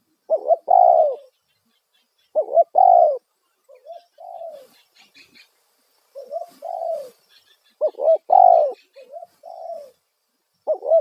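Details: Loud spotted dove lure call for wild doves, phrases of hooked double notes and long falling coos repeated throughout, answered by softer shorter coos, with light chirping of other birds in the background.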